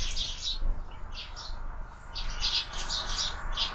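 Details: Sparrow chicks at a window-mounted feeder: a continual high, hissy chatter of rapid chirps in overlapping bursts, with low rumbling background noise.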